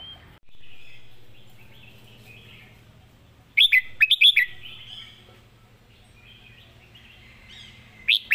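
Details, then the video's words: Competition red-whiskered bulbul giving its master song: one loud cluster of quick, sharp, rising-and-falling whistled notes in mid-clip and another starting at the end, with soft chatter and low hum between. "เสียงดี''สำนวนชัด เพลงแม่บท/นกแข่ง#เสียงนกกรงหัวจุก"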